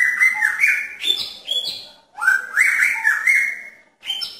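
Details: Male magpie-robin calling to a female in a pairing cage: continuous loud whistled song of looping rising and falling slurs, two long phrases and the start of a third.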